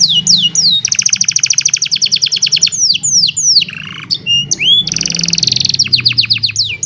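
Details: Loud song of an old canary on a sunny morning: falling whistles, a long fast trill of repeated notes, swooping slurs, then another rapid buzzy roll, with low background hum.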